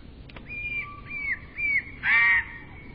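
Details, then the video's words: Eurasian bullfinch giving three soft, mellow whistles that slur downward, evenly spaced about half a second apart, then a louder, fuller and slightly harsher note, with a faint low hum beneath. "Bullfinch bird singing"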